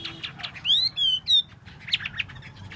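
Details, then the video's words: Tail-dancing Chinese hwamei gives three loud, pure rising whistles in quick succession, framed by softer scattered chirps. "Hoa mi mua duoi"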